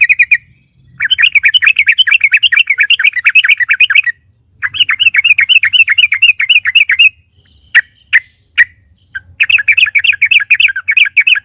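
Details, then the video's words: Sooty-headed bulbul song used to provoke other bulbuls to sing: fast, rhythmic bursts of bubbly chattering notes, several seconds long, separated by short pauses and a few sharp isolated clicks, over a steady high hiss. "pancingan TRUCUKAN GACOR fighter NARUNG,, TRUCUK DIAM SEKETIKA BUNYI dengar KICAUAN NYA CRUCUK INI"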